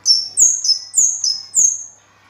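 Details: Kemade, the orange-headed thrush, sings a loud burst of four sharp descending whistles in quick succession, each note dropping in pitch, over a quiet background.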